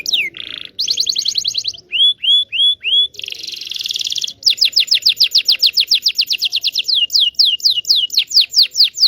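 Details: Local Indonesian canary song used as a lure for canaries that have stopped singing and for young birds learning to sing: high, fast trills, a buzzy rolling passage, and rapid descending whistled sweeps repeated about four times a second.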